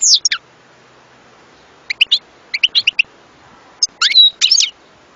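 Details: European goldfinch singing: scattered short bursts of high, sharp chirps and quick down-slurred notes separated by pauses, with a brief twittering flourish near the end.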